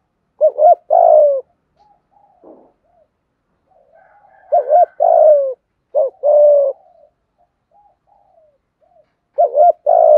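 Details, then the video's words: Spotted dove in 'giọng hạp bổi' style, calling, urging and cooing to excite other doves: paired hiccup-and-coo phrases separated by soft murmured notes, with several seconds of near silence between bursts. "Tiếng Cu Gáy Giọng Hạp BổI ĐỦ BÀI.. GỌI +THÚC + GÙ/Kích Bổi Nhanh Nổi"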